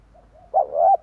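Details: Spotted dove calling, played as a lure for wild doves: a soft, low hooting coo that rises in two mellow swelling parts after a faint lead-in note, lasting about half a second.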